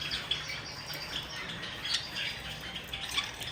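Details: Java sparrows bathing, giving short, high, sharp chirps scattered through steady splashing and dripping water, with a constant hiss behind them.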